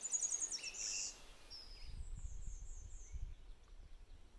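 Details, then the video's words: Wild golden-winged warbler singing in May in logged young-forest habitat on public land in northwest Wisconsin: a high thin buzzy opening followed by a run of about four short high buzzes, over soft rustling and low background noise. "That was the song of the golden-winged warbler."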